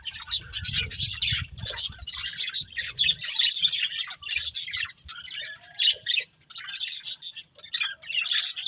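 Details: A breeding pair of pet budgies keeps up steady scratchy chatter and warbling tweets in rapid bursts, separated by short pauses, over a low rumbling background early on.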